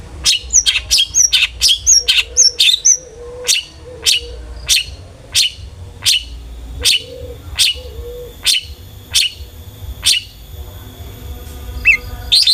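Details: Long-tailed shrike, used as a lure so other shrikes sing, delivers a long rapid series of sharp clipped notes, some paired with short low whistles, slowing toward the end before a brief squeak.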